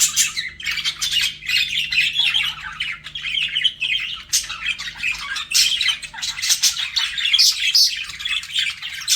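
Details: Budgerigars kept as pets flirting, a steady stream of harsh squawky chirps and thin twittering notes with occasional bright whistled peaks, several birds chattering at once.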